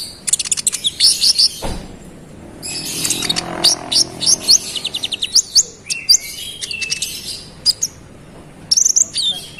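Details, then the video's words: Konin singing a lively, long-rolling song meant to provoke rival birds: bursts of very high, thin chirps and rapid twittering trills, broken by short pauses, with one low thump near the start and faint background hiss. "KONIN GACOR ROLL NEMBAK NGOTOT Buat konin lain emosi"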